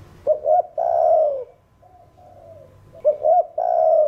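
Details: Spotted dove song of the thổ đồng type, used to set other birds cooing. Stuttered double coo leading into a long drawn-out falling note, a soft trailing murmur, then the phrase begins again.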